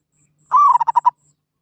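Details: Single katok banir phrase from a zebra dove: a sustained, gently arching note leads into five short, evenly spaced, throaty coo pulses, with a faint low hum underneath.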